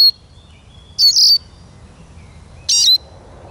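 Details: Singing Eurasian siskin: two buzzy, high chirps about one and a half seconds apart, with a thin, steady whistled tone drawn between them.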